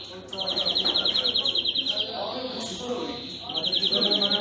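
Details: European greenfinch song: two bursts of fast, rolling, metallic trills at a steady high pitch, separated by a pause, over a murmur of low background noise.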